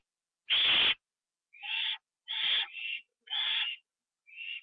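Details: Owl at a nest after a bird was delivered and eaten inside, 9 October 2011, 9:54 PM; one loud rasping screech followed by softer, shorter hoarse calls and brief squeaky notes.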